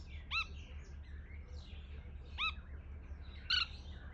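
Red-throated bee-eater giving three short, rolling chirps about a second apart, bright and mid-high in pitch, over a steady low rumble of background noise.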